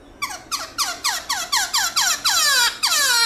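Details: Black-throated laughingthrush singing a loud, clear, varied wild-type song: a fast series of notes, each sliding steeply downward, about four per second and building toward the end.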